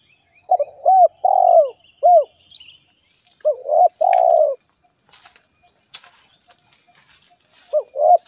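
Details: Spotted dove calling, used as a lure to attract wild doves for trapping: groups of short coos, each ending in a longer rolling coo, repeated in three bursts with pauses between, with faint clicks in the background.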